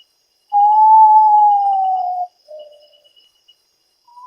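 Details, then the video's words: A potoo (family Nyctibiidae) gives a long, pure whistled note, slightly rising then slowly falling over nearly two seconds, followed by a softer lower note and the start of another. "Potoo, Burung Berwajah Lucu Dengan Suara Menyeramkan"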